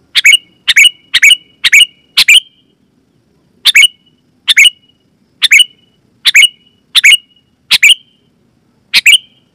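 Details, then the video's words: Sooty-headed bulbul lure call, loud and clear, meant to trigger other bulbuls; a rapid run of five bubbly chirps, a pause, then spaced chirped phrases, about eleven in all. "Suara Burung KUTILANG GACOR,Super Ampuh Keras, Lantang dan Jernih, Burung Kutilang Lain Auto Gacor"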